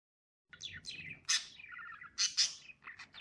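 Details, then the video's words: Lovebirds chirping: rapid high, sharp notes sliding downward, then a run of short buzzy chirps and two loud piercing squeaks near the end, following a half-second of silence. "Chirping sound of cute loving birds"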